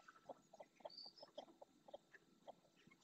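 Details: Ringed red-knobbed coot in the marshes of Doñana National Park, Spain, giving short, clipped clucking notes at an irregular pace, about one per second, with faint higher chirps from other birds behind.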